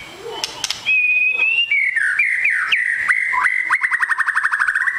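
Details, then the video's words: Super fighter long-tailed white-rumped shama: a long, steady, pure whistle sliding into dipping notes, then a fast, even series of clipped repeated notes. "MURAI BATU EKOR PANJANG SUPER FIGHTER"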